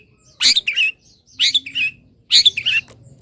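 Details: Three phrases from a caged long-tailed shrike, misted and warmed by morning sun, each a harsh raspy note followed by a wavering whistle, spaced about one second apart.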